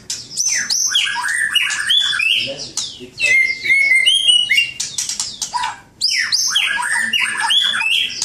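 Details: White-rumped shama (murai batu) pouring out rich master song: fast cascades of descending whistled notes and chirps in three long bursts, with brief pauses between.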